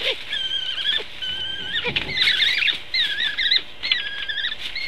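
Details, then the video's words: Long-eared owls clash at a nest, one protecting it from an intruding long-eared owl, live cam. Continuous high, wavering squeals and whistled calls overlap, with short scuffling noises between them. "Long-eared Owl Is Attacked At Its Nest"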